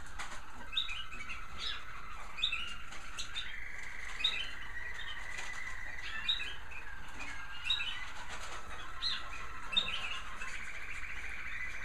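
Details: Several American Singer canaries in bird rooms in the evening chirp and sing together, with bright scattered tweets over steady rolling trills and wings fluttering throughout.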